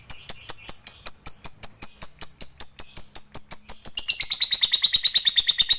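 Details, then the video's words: Lovebird worked up by a lure recording: evenly spaced sharp high chirps for about four seconds, then a quicker, jumbled burst of squeaky twittering, with faint rhythmic ticks in the background. "Bikin Lovebird Apapun Cepat Narik Ngekek Panjang"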